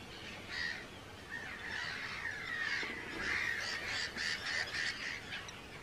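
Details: Breeding-colony chorus of hundreds of Arctic terns on Rottumerplaat, Groningen, 4 June 2023: after a quiet start, a rush of harsh, drawn-out screeches builds, then rapid clipped calls cluster near the end.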